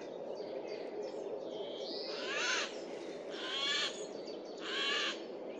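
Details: Eurasian jay in a forest on 15 April 2024, a loud voice: three harsh, rasping screeches spaced about a second apart over a steady low hiss.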